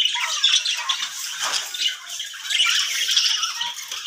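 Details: Budgerigars of various colours kept as breeding pairs in nest boxes, most sitting on eggs: a dense, continuous flock chatter of scratchy squawks and high chirps that swells and fades over four seconds.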